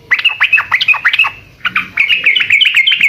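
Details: Sooty-headed bulbul singing gacor style, lively and nonstop, used to draw answers from other birds: quick chirping notes in close succession, a brief pause, then a denser run of bright twittering.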